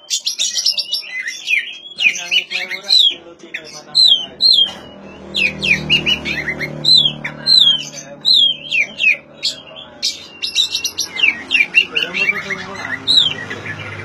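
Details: Varied oriental magpie-robin song, meant to set silent magpie-robins singing, with rapid sequences of looping whistles and harsh chatter, with a faint low hum underneath.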